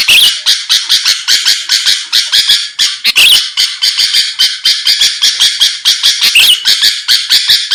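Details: Energetic sooty-headed bulbul song aimed at drawing a rival's reply: an unbroken stream of fast, grating, buzzy notes with twisting whistled slurs near the middle and end.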